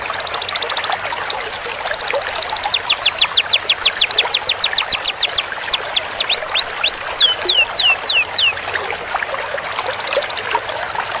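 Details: Canary training song featuring long rolls: a buzzy high trill, then a long, regular series of descending whistled sweeps at about four per second, turning into looping slurred notes, with the trill returning at the end.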